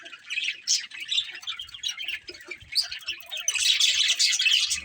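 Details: Several pet budgerigars kept as a family group chirping together: dense, scratchy warbling and quick high twitters that swell louder toward the end, with overlapping voices throughout.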